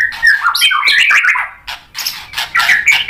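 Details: White-rumped shama song used to provoke a response from other birds: a dense run of varied whistles and harsh notes, mostly around mid-high pitch, with quick shifting phrases and brief gaps.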